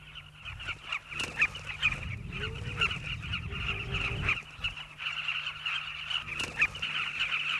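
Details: Migrant Southern carmine bee-eaters nesting in riverbank burrows in South Luangwa, Zambia. A dense chorus of many birds gives rapid, throaty, overlapping calls throughout, with a low rumbling noise through the middle part of the recording.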